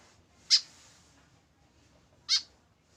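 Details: White-breasted woodswallow, a tame bird kept on its own without a companion, giving two loud, harsh, nasal calls about two seconds apart over a quiet background.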